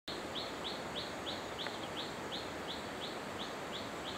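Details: Hill blue flycatcher at Khun Korn Waterfalls, Thailand, in 2012, giving a steady run of short, high, slightly falling notes, about three per second, over the constant rush of falling water.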